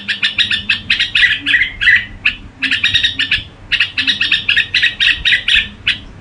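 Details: A Red-whiskered bulbul delivers its crooning song in rapid clusters of sharp, high chirps. Phrases about a second long alternate with short gaps, and a soft low rumble sits underneath.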